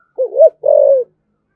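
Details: Single low coo pair from a spotted dove in 'thổ' voice, the 'thúc gù' urging coo used to provoke rival doves: a short wavering hoot, a brief gap, then a longer level note.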